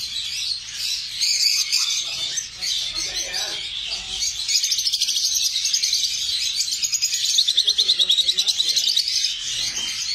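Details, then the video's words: Lovebirds chattering in high, piercing chirps, later turning into a fast, regular trill of sharp repeated notes, several birds overlapping. "লাভবার্ডস পাখি"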